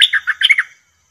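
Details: Bulbul kept in a cage during trapping gives a quick, warbled phrase of five or six rich, bubbling notes that jump up and down, then stops.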